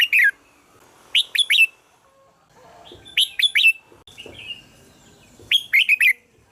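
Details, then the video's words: Red-whiskered bulbul song for luring bulbuls, four short phrases of rapid, slurred, bright notes with gaps of a second or more, plus a soft wavering whistle in between. "เสียงนกกรงหัวจุก #เสียงเรียกนกกรงหัวจุก"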